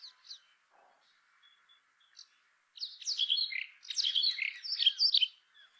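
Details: Brown rock chat: a few soft, scattered high chips, then two loud bursts of tumbling, scratchy warbling with jumbled high notes, separated by a brief gap.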